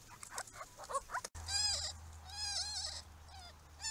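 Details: Grey-crowned babblers visiting a pond make rich, nasal, mewing notes that bend up and down, a few in close succession after some softer chatter, over a steady low hum.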